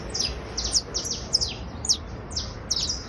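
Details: Criollo basto canary trilling: rapid series of high downward-sweeping notes, short bursts repeated through the stretch, over a faint low background rumble.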